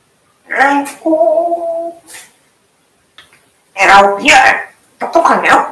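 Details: African grey parrot mimicking human words inside a room: a short syllable, a drawn-out steady tonal vowel, a pause, then two rapid voice-like phrases.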